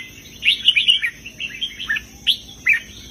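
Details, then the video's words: Red-whiskered bulbul song, southern master style with heavy phrases: a flowing run of warbled, whistled notes descending in pitch, followed by two separate sharp rising notes, over a faint hum. "นกกรงหัวจุกร้องริกเพลงแม่บทใต้ ลำหนักๆ"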